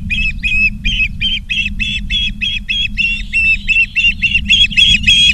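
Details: Charlo, Montana Ospreys, 19 August 2023, afternoon: a persistent string of shrill, whistled chirps, about three to four per second, growing more insistent toward the end, over a faint low rumble.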